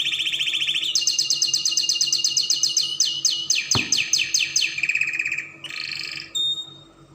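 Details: Spanish Timbrado canary song meant to train young canaries: a fast high trill slides into evenly spaced sweeping notes that slow and fall, a sudden click, then a lower rolling trill and short buzzy phrase.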